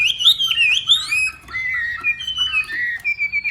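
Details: Hwamei from Northwest Vietnam practising its voice in a morning singing contest, with pure, drawn-out whistles that slide and warble, then level tones and a few short soft notes.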